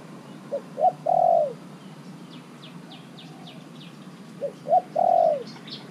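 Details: Decoy spotted dove, caged for only three months, calling wild birds: the same three-part coo phrase twice, about four seconds apart. Each is two quick low notes and then a long level coo. Small birds twitter faintly in between.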